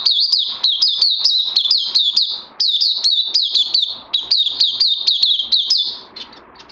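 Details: Oriental white-eye (puteh), 31 May 2020, day two on combined Lava Direct and Life Force: bursts of rapid high chirping separated by brief breaks, notes sharp and falling, fading toward the end.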